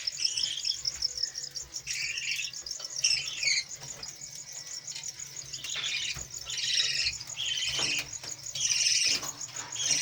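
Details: Budgerigars in a home aviary with five chicks being fed. Harsh, squawky chatter comes in several rough bursts over ten seconds, over a steady high-pitched background ring.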